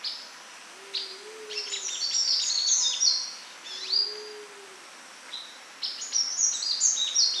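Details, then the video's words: Wild sunbird in natural habitat singing bursts of fast, high, thin twittering chirps, pausing between phrases; a low, soft two-part hooting call sounds twice behind. "Sunbird Singing Sounds"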